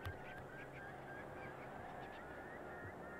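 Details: A flock of bar-tailed godwits at Lytton Claypan, Brisbane, Queensland, on 1 April 2023 keeps up a steady, overlapping chatter of short nasal calls, with a low rumble of background noise underneath.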